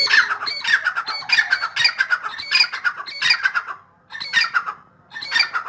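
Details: A grey francolin, locally dakhni teetar, in full spirit keeps up a continuous stream of strident, raspy notes for nearly four seconds, then two shorter harsh bursts after brief silences.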